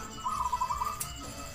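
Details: Short-beaked zebra dove native to Java's forests delivering a quick burst of rapid, even, mid-pitched coo notes lasting about half a second, then quiet with a soft click.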